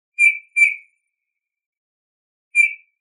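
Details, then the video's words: Eurasian bullfinch recorded in 2018: three soft, short piping whistles, two close together and a third after a two-second pause, in otherwise silent surroundings. "ΠΥΡΡΟΥΛΑΣ- (Pyrrhula pyrrhula 2018)"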